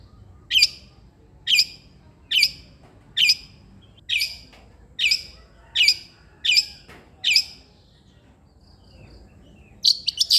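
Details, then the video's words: Long-tailed shrike, played to stir a lazy shrike into song, gives short harsh chack notes roughly every 0.8 seconds, nine in sequence, then a pause and a quick clipped double note. "irama KICAU CENDET gacor"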